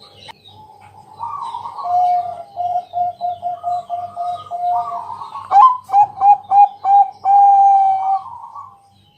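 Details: Zebra dove, Bangkok type, singing at night as a lure to get other doves calling: loud, resonant cooing notes, a rapid run of short coos, then clipped staccato notes and a drawn-out final coo, over a low pulsing hum.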